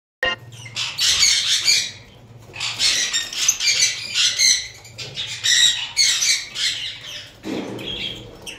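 Lovebirds give shrill, scratchy chattering squawks in busy bursts of a second or two, broken by short pauses, with some rustling and wing noise.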